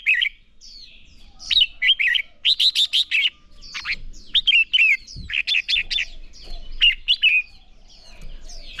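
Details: Red-whiskered bulbul singing competition-style phrases, played to train young birds to sing: bursts of quick, loud, rich whistled notes in clusters of three to five, separated by brief pauses, with soft twittering between.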